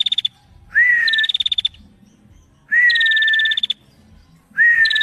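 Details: A female bar-winged prinia sings whistled notes that rise and then hold steady, each ending in a quick series of higher staccato ticks, repeated about every two seconds.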